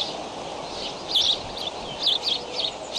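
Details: Bald eagle eaglets flap hopping in their Decorah nest on a May 20 morning at 7:28 am, recorded by nest camera; a few sharp high chirps come in pairs and bursts over a constant hiss.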